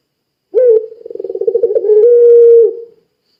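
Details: Puter pelung, a long-cooing Barbary dove, calling to prompt other doves to call. A short rising note, a rapid pulsed rattling trill, then one long, steady, flat, mid-pitched coo lasting almost a second, in quiet surroundings.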